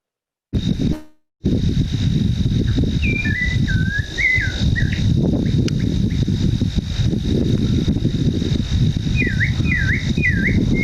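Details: A Clay-colored Thrush at Aravaipa Cienega, Southeast Arizona, in May 2020 sings short, slurred, rising-and-falling whistled phrases in two bursts, against a heavy low rumble and a steady high-pitched hum.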